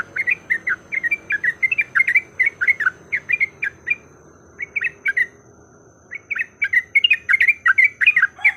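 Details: Yellow-vented bulbul in a lure recording meant to draw a bird into lively fighting song: quick bubbly chattering notes in rapid bursts, a short pause near four seconds, then the busy phrases resume.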